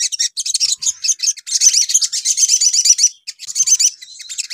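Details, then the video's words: A bulbul (sogon) lure call used to provoke other birds: high, busy chatter of quick chirps and rapid trills running almost without a break, with only a brief pause near the end. "SUARA PANCINGAN SOGON"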